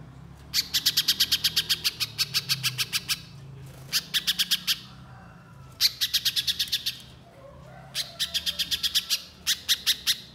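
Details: Persistent 'nembak' song of a Little spiderhunter, used as a lure recording: four long bursts of rapid, sharp, high chip notes, each a second or more of dense chipping, separated by brief pauses.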